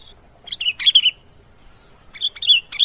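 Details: Loud sooty-headed bulbul song used as a lure: a quick cluster of bright whistled notes, a brief pause, then another short run of clear slurred notes.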